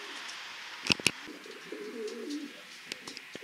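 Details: Racing pigeons in a loft, a low rolling coo around the middle of the clip, with sharp clicks and flutters of wings and birds moving about.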